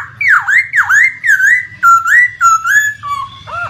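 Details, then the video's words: Laughingthrush lure song to prompt a non-singing bird: a series of loud, swooping whistled notes that dip and rise, about two per second, lowering in pitch toward the end. "SUARA PANCINGAN POKSAY MACET BUNYI Hitungan Detik Langsung Respon"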